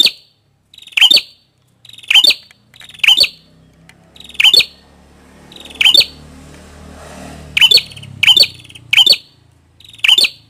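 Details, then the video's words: Red-headed prinia giving harsh, sharp, explosive chirps, repeated about once a second with brief buzzy lead-ins. A low rumbling hum is audible midway through. "Suara Burung | Prenjak Kepala Merah"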